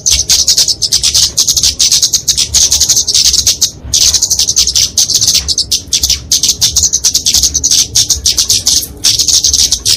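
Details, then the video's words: Kemade flowerpecker delivering a fighting song for training and luring songbirds; long stretches of fast, high, buzzing twitter with one short break near the middle, intense and steady. "Kicauan Kemade Tarung Untuk Masteran&Pikatan Burung Kecil!"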